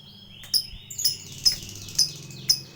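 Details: Lovebird used as a lure to provoke a fighter lovebird into long chattering: sharp high chirps repeated about every half second, with faint rising whistled notes between them and a low background hum.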